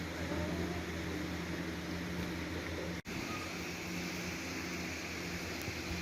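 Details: Continuous broadband engine or fan noise with a steady low hum and one brief dropout midway, and no animal sound.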